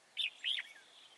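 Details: Wild-caught red-whiskered bulbul at Chùa Hương, 24 March 2018, giving two loud, clear whistled notes in quick succession, the second longer and slurred, fading into faint chatter.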